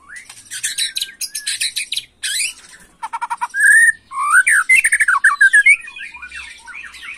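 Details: Young white-rumped shama singing agitated, 'macul' style: harsh buzzy rattles and chatter at first, then loud clear whistled notes and slurred, rising-and-falling fluty phrases in quick succession.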